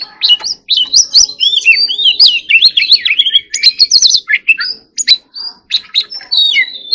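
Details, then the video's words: White-rumped shama in energetic song, a fast continuous series of twisting whistles, chirps and clicks, loud and varied throughout. "choè than hót líu || Kacer Gacor"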